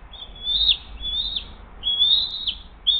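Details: Bald eagle at the Hays nest, 20 June 2023, 7:43 am, during a fish delivery and feeding of the eaglet: three or four long, thin whistles rising in pitch, each ending abruptly.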